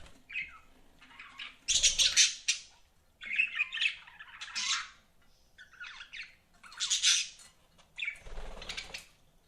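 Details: Budgies chirping and squawking, a run of harsh, noisy chatter and sharp squawks in close succession, with a few soft thumps between calls.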